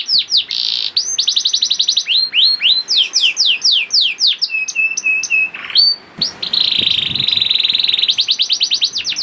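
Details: Varied song of a young canary, played to trigger other canaries to sing: fast trilled runs, looping swoops, a stretch of level piping notes, then a harsh buzzy roll at the end.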